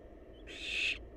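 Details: A single loud, rasping hiss of about half a second comes from a wild barn owl chick in a nest box, waiting with its siblings for the next meal. Very little background noise.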